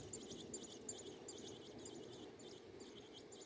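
American robin nestlings give thin, high peeps in quick, uneven clusters, about two or three a second, over a steady low rumble.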